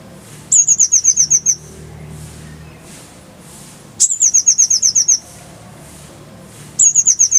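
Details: Oriental white-eye song played to train cage birds: three bursts of rapid, high-pitched trilled notes, each about a second long, recurring roughly every three seconds, with a soft low hum underneath.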